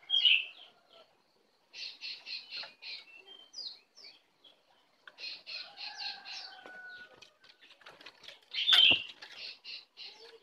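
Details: Wild Oriental magpie-robin coming in to attack: bright, clear song of short repeated chirping notes in bursts, with sweet whistled slurs and a few loud sharp notes, set against a quiet background.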